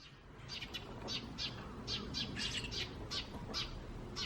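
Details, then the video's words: Wild Eurasian tree sparrows recorded in May 2017, with a few starlings mixed in. Bright, short chirps come in quick irregular bursts over a low background rumble. "この鳴き声は何の鳥？の答えは、「スズメ！ と、少しだけムクドリ」です。"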